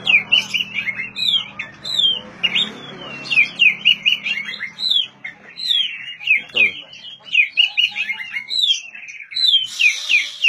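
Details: Whistled oriental magpie-robin song for stimulating silent birds to sing: quick, varied notes sliding up and down in a continuous rambling stream, with a low hum at the start and a brief noisy burst at the end.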